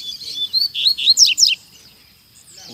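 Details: Coleiro in a town square with other prepared birds, singing a loud, fast phrase of high whistled notes and steep downward slurs for about one and a half seconds, followed by quiet.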